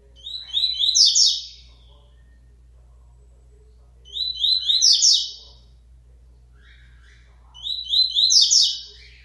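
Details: Double-collared seedeater born in the region, coming out of moult and returning to song; three bright, high, twittering phrases of quick chirped and trilled notes, each about a second long, come roughly every three and a half seconds over a faint low hum.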